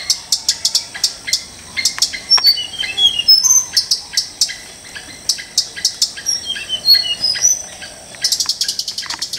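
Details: Wild Tickell's blue flycatcher in Sri Lanka. Rapid, sharp chirps and thin, high twittering notes come in quick bursts. There is a short lull near the middle, then clipped ticking notes start again toward the end.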